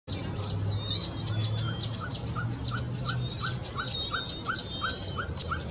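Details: Ferruginous pygmy-owl at Lake Chapala giving its typical tooting song: a long, steady series of short, mellow whistled toots, about three per second, over a constant high insect hiss and scattered chirps of other birds.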